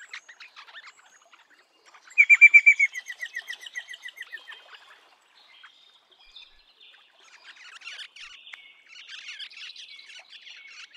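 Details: Eastern rosella giving a quick run of bright, clipped notes, about a dozen in under three seconds, loud at first then fading and slowing; softer scattered chirps from other birds follow.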